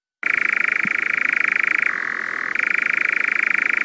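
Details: Crepuscular, insect-eating European nightjar singing: an unbroken dry, insect-like churr starts abruptly, shifts down in pitch for about half a second, then resumes at the original higher tone.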